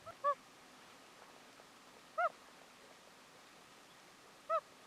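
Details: Common loon on a lake in Maine, one of a group sitting about 50 yards off and hooting contentedly, gives three short, soft, mellow hoots about two seconds apart over a faint steady outdoor hiss.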